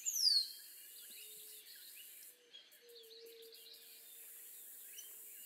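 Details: Rose-throated becard (Pachyramphus aglaiae) song: a single thin, high whistle slurring sharply downward, followed by faint chatter from other birds over a steady low hum.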